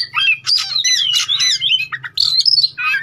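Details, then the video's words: White-rumped shama singing to provoke rival birds into singing and answering: rich, loud whistles mixed with rasping, buzzy bursts and quick slurred notes in a tight, unbroken sequence, with a low hum underneath. "Suara pancingan Kacer biar lawan cepat Gacor dan Respon"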